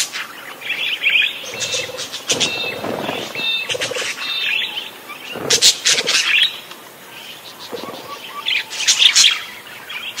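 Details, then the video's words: Busy parakeet chatter in uneven bursts of clicks, squeaks and warbles, with quieter gaps between them and some soft lower rustling sounds. "Suara Kicau Burung PARKIT GACOR"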